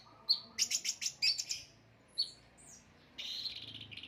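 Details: Kept orange-headed thrush, a songbird favoured by Indonesian bird-song hobbyists, singing a quick run of sharp high chirps and squeaky notes, a short pause, then a dense buzzy, scratchy phrase at the end.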